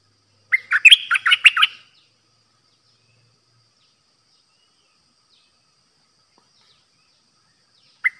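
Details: Streak-eared bulbul, a new caged decoy bird, sings in the pure 'dok' song style, recorded 6 May 2022 in Thailand. One bright chirpy phrase of about seven quick bubbly notes, then silence and a brief note at the end.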